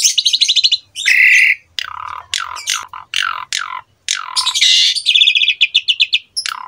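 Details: Asian pied starling singing actively, a rich master recording meant to be copied by young birds: quick chattering phrases, grating squawks and descending whistled slurs, with a fast stuttering run near the end.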